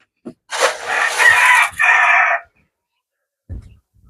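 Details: A rooster in a garden, where hens and parrots were being fed on 27 April 2025, gives one loud, hoarse crow of about two seconds, drawn out and breaking near the end, then a few soft knocks.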